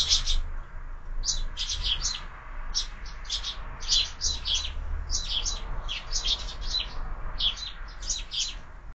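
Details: Sparrows at a window-mounted feeder where birds are fed year-round, at breakfast: lively, almost unbroken chorus of sharp chirps in quick clusters, over a low hum.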